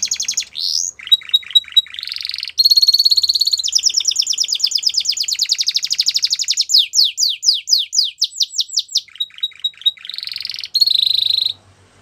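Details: Belgian canary in full song, alternating flat buzzy rolls, quick repeated chips and steep descending whistled notes, steady and high-pitched throughout with short pauses between phrases.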